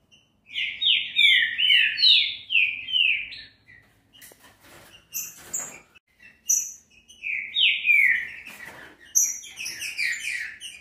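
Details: Captive green-winged saltator song used to warm up another bird: a long run of loud, sliding whistled notes, a pause with faint clicks and knocks, then more rich slurred phrases.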